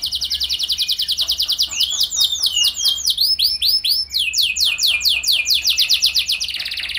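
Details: Canary song offered as a lure to set other canaries singing: a very rapid high trill flows into broad swooping slurred notes, then back into quick rolling trills, unbroken for the whole stretch.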